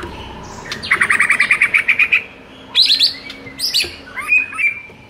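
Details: Song of a white-rumped shama, played to stir up a shama that sings too little: a rapid run of about ten identical clear notes, then separate high whistled phrases and rising chirps.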